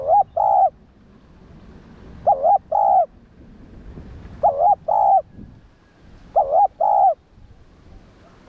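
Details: Spotted dove (cu gáy) cooing to provoke and train other doves: paired coos, a wavering note then a steady one, repeated four times roughly every two seconds, loud and clear against quiet background.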